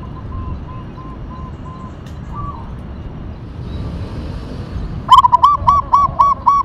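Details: Local zebra dove of the Tumbak Cucukan katuranggan type: a faint series of soft evenly spaced coos, then a loud close phrase of rapid repeated clipped coos ending the recording, over steady low background noise.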